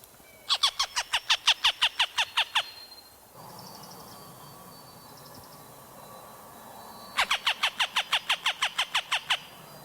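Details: Northern harrier, a mostly silent species, giving two rapid, sharp kek-kek-kek series of about five notes a second for two seconds each, with faint high notes and soft background hiss between.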